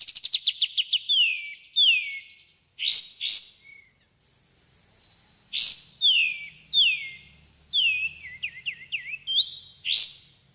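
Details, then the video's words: Varied white-rumped shama competition song packed with bursts: a rapid opening trill, falling whistled slurs, loud sharp notes, then a medley of swoops, twittering and quick zigzag phrases, clear and easy to copy. "Masteran murai batu ful tembakan kicau prestasi jernih mudah di tiru"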